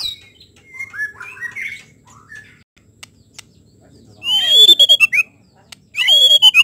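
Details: White-rumped shama: soft warbled whistles at first, then after a pause two loud phrases of bright sweeping whistles, each opening with a harsh rasping burst.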